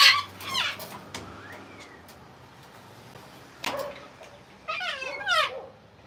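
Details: A wild flock of Sulphur-crested Cockatoos in Australia at sunset after torrential rain, excitedly sorting out who takes off first to roost, gives harsh, grating screeches in three bursts, at the start, around four seconds and near five seconds, with quieter gaps; a currawong is nearby.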